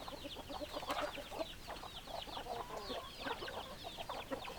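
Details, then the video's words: Chicken flock with hens clucking: constant dense chatter of short clucks and high, sweeping chirps overlapping from many birds, evenly loud throughout. "Chicken Sounds Noises Hens Clucking Roosters Crowing"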